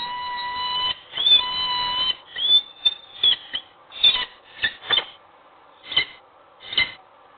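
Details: A peregrine falcon in Wołomin, in the morning, gives sharp, high calls about once a second after a steady whistle-like tone opens the recording.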